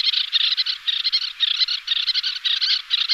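Little Tern giving a rapid, harsh, high-pitched chatter of scratchy notes, several per second, running almost unbroken for three seconds.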